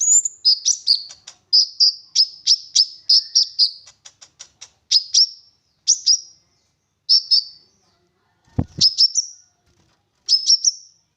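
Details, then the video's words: Olive-backed sunbird in vigorous 'gacor full nembak' song, a lure to prompt other sunbirds to sing: thin, very high chirps in quick bursts, with rapid ticking runs and short pauses between phrases. "Konin Gacor Full Nembak Isian Mewah! 99% cocok Buat Pancingan konin Agar Bunyi"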